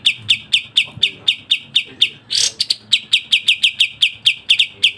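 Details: Sooty-headed bulbul singing a fast, tight 'speed rapat' variation for masteran. Quick high chirps run almost without pause, broken in the middle by a brief harsh, scratchy burst before the chirping resumes.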